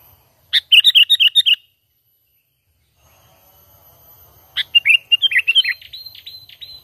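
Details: Sooty-headed bulbul calling naturally as a trapping lure, no mimicry: a quick chattering run of eight or so bubbly notes, a pause, then a second lively phrase trailing into thin, steady whistled notes.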